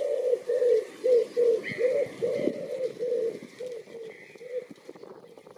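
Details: Greylag goose honking at Myślęcinek Botanical Garden, Bydgoszcz, Poland, on 2 April 2023, filmed with a Lumix FZ82; a rapid run of about ten nasal honks, fading toward the end, with a higher thin call overlapping.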